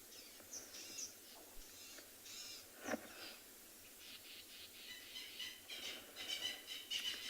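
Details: Francolins in bushy South African game-reserve bush on a 14 June 2020 afternoon safari, shouting at something unseen while a leopard is sought: harsh scratchy cackling bursts, uneven and repeated, growing louder, over faint rustle.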